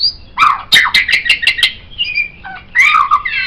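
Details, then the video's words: White-rumped shama song meant to teach other songbirds: a fast burst of clicking, fluty notes, a short pause, then warbled whistles. "MURAI BATU Ini Sangat Cocok Dijadikan Masteran Burung Kicau"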